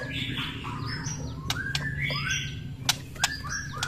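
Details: White-rumped shama singing in the morning to raise fighting spirit: a run of clear whistled notes with sharp click-like strokes, rising and falling slurs, over a steady low hum.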